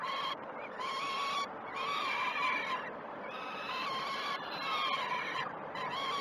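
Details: Peregrine falcon chicks at the Great Spirit Bluff nest, 12 June 2018, calling during a feed: rough, smeared wailing cries in four or five long bursts with short silences, over a noisy background.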